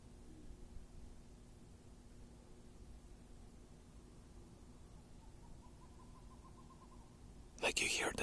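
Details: At night in a forest, owls are calling, which is called rare; one to three great horned owls are suspected, possibly with a saw-whet owl. An owl gives a quick run of soft, even, mid-pitched toots for about two seconds over a low steady hum, then a person speaks.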